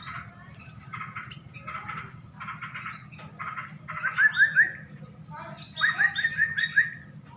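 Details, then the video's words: Tame munia giving short, soft chirps in quick bursts, then bright rising chip notes repeated about twice a second, over a steady low hum. "burung Pipit jinak"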